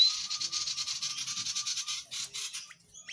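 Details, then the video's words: Tledekan jati singing gacor, in full lively voice, as a tutor recording for magpie-robins, kacer and leafbirds: a fast buzzy series of high rasping notes, about ten per second for two seconds, then scattered chips. "Tledean jati Gacor"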